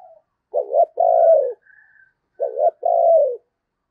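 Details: Spotted dove used as a lure for wild doves in the Tết season, cooing 'thúc gù'. Two deep phrases about two seconds apart, each a quavering opener and then an extended falling coo, with a soft high whistle in between.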